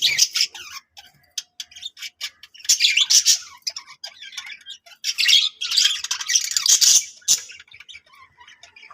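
A budgerigar warbles in bursts of rapid, scratchy chatter with squawks and bright chirps.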